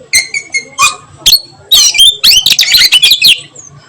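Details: Oriental magpie-robin, kept bird, sings in the afternoon: a few soft separate chirps, then a dense rush of rapid twittering, upswept whistles and scratchy notes.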